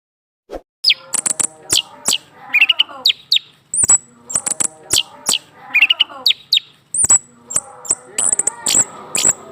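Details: Caged male orange-headed thrush singing after a female is placed beneath his cage; a loud, varied run of sharp high whistles, clicks and rapid descending trills in bursts, with frequent broadband clicks and mimicked notes.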